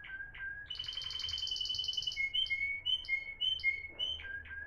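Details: Discontinuous song of a Moroccan Timbrado canary, 2021: low whistled notes, a fast buzzing rattle, then clear whistles repeated with short gaps between them.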